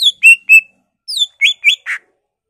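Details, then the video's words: Greater green leafbird singing agitatedly in ngentrok style, showing off mimicked songs of magpie-robin, laughingthrush, cililin, white-eye and canary: clear high whistled notes, some falling and some flat, in two short bursts with a brief pause. "BURUNG CUCAK IJO GACOR EMOSI NGENTROK BONGKAR ISIAN , Murai, Poksay, Cililin, Kapas tembak, Kenari"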